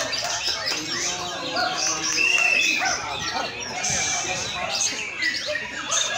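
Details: White-rumped shama song in a simulated singing competition track meant to provoke birds into singing: dense, overlapping bursts of varied chirps, trills and whistles throughout, with one clear sustained whistled note midway, and no pauses.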